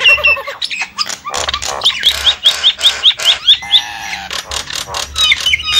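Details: Lure call of Javan mynas used to pull in wild birds: a rapid series of about ten sharp rising whistled notes mid-clip, surrounded by harsh squawks and nasal honking sounds.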